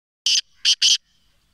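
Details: Black francolin from Sindh, Pakistan: three harsh, grating notes in quick succession, a short one followed by two longer ones, against an otherwise silent background.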